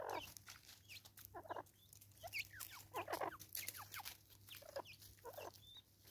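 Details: South African Natal spurfowl cackling raucously, bursts of harsh, rapid falling notes in loose clusters with short gaps between them, over a faint steady hum.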